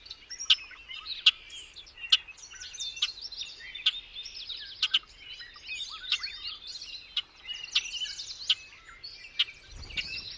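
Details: Bobolink pouring out a bubbling, twangy jumble of notes, overlaid by repeated loud sharp clicks roughly every second, ending with a low thump.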